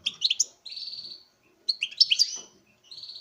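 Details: Male European goldfinch in a breeding cage singing before a female: quick chattering twitters running into a long buzzy nasal note, then another bright twittered burst and a short buzz.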